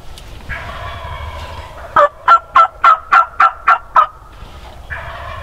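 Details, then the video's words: Wild Turkey gobbler heard during a spring snow storm on a morning turkey hunt: eight rapid, evenly spaced throaty gobbling pulses in a two-second burst, with low murmuring sounds before and after. "Crazy Gobbling In Spring Snow Storm!!!"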